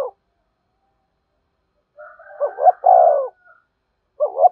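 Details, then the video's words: Spotted dove giving a lure call to attract wild doves. After a pause, a soft lead-in then a quick double note and a long mellow coo, with another phrase beginning at the end. "Tiếng chim cu gáy thúc bổi, bổi nghe rất nhạy gáy và về cội nhanh"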